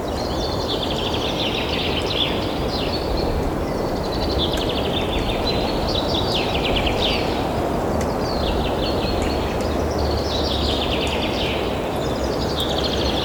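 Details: Sri Lankan frogmouth at Thattekad Bird Sanctuary, Kerala, India, giving shrill, stuttering trills that fall in pitch, repeated about every two seconds, over a steady low roar of background noise.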